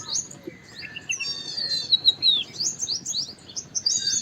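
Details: White-browed wagtail, also called large pied wagtail, giving a lively run of high, thin chirps and twittering notes, some sliding down in pitch, with short pauses between bursts over a soft low background hum.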